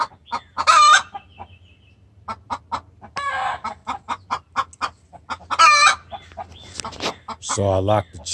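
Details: Hen in a cage, kept apart from free-ranging birds, distress-calling to the rooster: harsh squawks mixed with irregular clucks, a lower rough call near the end.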